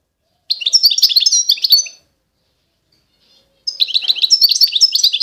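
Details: Song of an eastern Algerian Constantine goldfinch: two long phrases of quick, bright, jingling twitters and trills, separated by a pause of roughly a second and a half.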